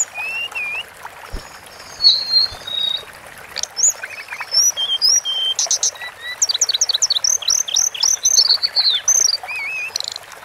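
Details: Long Sunda forktail training song: thin high whistles and wavering notes, then a dense stretch of fast ticking trills and quick rising and falling slurs, very high and bright throughout.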